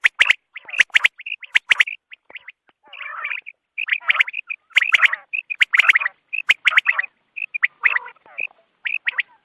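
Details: Morning quail chorus used for hunting. Clustered sharp notes and whistled pips come irregularly, with intervals of rough, grating chatter. Sharp clicks punctuate the calling throughout.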